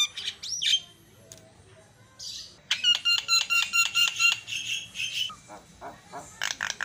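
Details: Javan myna singing to stir up rival mynas: scattered harsh notes and a slurred whistle, then a long rapid series of metallic buzzy pulses, closing with quick chattering bursts.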